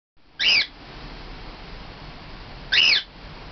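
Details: Male cockatiel, two and a half years old, normal grey, kept as a pet indoors, giving contact calls for a companion: two loud, short, rising whistled screeches about two seconds apart over a quiet room hum.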